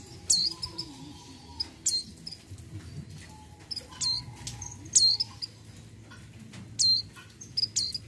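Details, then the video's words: Mountain white-eye female, in breeding condition, calling the male: about eight high, thin chirps that slur downward, some in quick pairs, given irregularly, with brief faint mid-pitched whistles and a low hum. "PLECI MONTANUS MONTY BETINA BIRAHI MEMANGGIL JANTAN"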